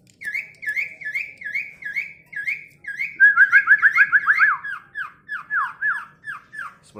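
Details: A tame Asian pied starling known for talking gives a rapid string of sharp whistles. The run speeds into a tumbling, louder burst, then slows to drawn-out, falling whistled notes.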